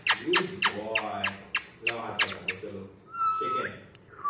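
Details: Pet talking parrot giving a fast series of harsh, squawky syllables, then a clear whistled tone near the end. Music and laughter play in the background.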